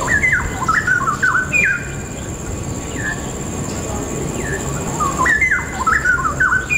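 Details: Straw-headed bulbul song, recorded on a birdwalk in November 2016: loud, rich bubbling phrases of warbled whistles tumbling up and down, delivered in bursts with short pauses, over a steady background hiss.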